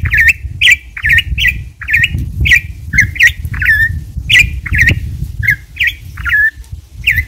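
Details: Campo troupial delivering a long sequence of loud, hooked whistles, fifteen or so short phrases in about seven seconds, some slurring downward, a few drawn out, against continuous low-frequency background rumble.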